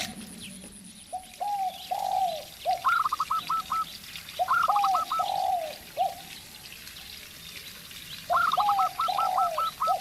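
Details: Local zebra dove singing alongside a spotted dove decoy bird: bursts of quick, clipped high cooing notes in rapid series, interleaved with lower, drawn-out arched coos from the spotted dove, repeated three times over ten seconds.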